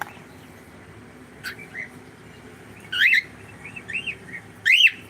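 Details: Cockatiel kept at home giving soft chirps, then louder bent whistles and a final strong rising-falling call, over faint hum.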